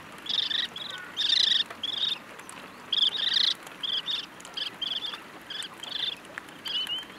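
A lesser sand plover gives a quick series of short, dry, buzzy trills, about two each second, some slightly longer and rattling, over a faint high hiss.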